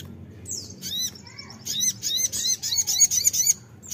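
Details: Crimson sunbird singing as a lure, with separate high, slurred chips that run into a quick burst of thin, sharply repeated notes, then go quiet.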